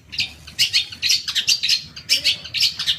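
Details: Long-tailed shrike chattering in a lure recording for morning, midday and evening, meant to stir caged shrikes to sing back; dense, scratchy, uneven notes tumble together almost without pause.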